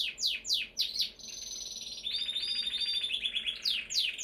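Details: Canary singing: fast descending chirps, then a long steady high trill with rolling warbled notes, ending in quick downward sweeps; continuous and bright throughout.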